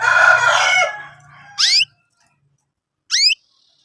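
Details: Young canaries chirping, recorded as lure material for training canaries. A long harsh, buzzy burst is followed by two sharp rising harmonic sweeps, spaced about one and a half seconds apart.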